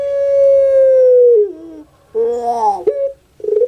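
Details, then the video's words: Puter pelung dove (Streptopelia risoria), kept bird, singing: a long, drawn-out, ringing coo that slides down at its end, followed by a shorter wavering phrase and the start of another. "ANGGUNGAN PUTER PELUNG"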